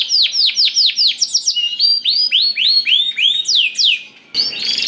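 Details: Canary song played to make other canaries sing along: a long run of sweeping downslurred whistles about four per second with high sharp chips above, a brief pause, then a short rough burst.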